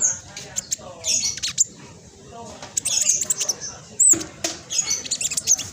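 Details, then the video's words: Fast, tight song of a speckled black sunbird, meant to provoke other black sunbirds into singing: quick clusters of very high, thin chips and trills with a sharp looping squeak near the end. "Blacksunbird trotol gacor prospex cocok buat pancingan burung macet malas bunyi"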